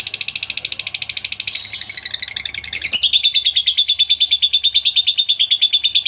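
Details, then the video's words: Extended lovebird ngekek serving as master recording for other lovebirds. Dense, rapid chattering repeats throughout, briefly blurring midway, then resuming as a steady, sharper rattle of evenly spaced buzzy notes. "masteran burung Lovebird ngetik,ngekek cocok buat lb lain biar cepat gacor ,ngekek panjang"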